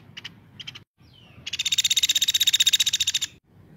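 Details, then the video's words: Woodpecker in active voice, a tutor recording for magpie-robins: a few brief chirps, then a loud, fast, evenly pulsed rattle running nearly two seconds. "caladi gacor cocok untuk masteran murai"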